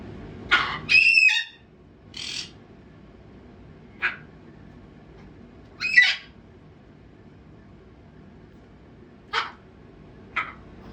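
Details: Pet macaw screaming: harsh, raspy bursts of about a second each, loudest at the start and then spaced irregularly several seconds apart, with quiet room noise between them.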